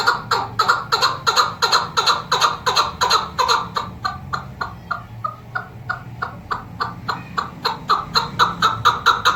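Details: Female Kabuli chukar partridge used for hunting gives a long, steady run of clucking chuk notes, about one or two each second, loud and even, with a brief softer stretch midway.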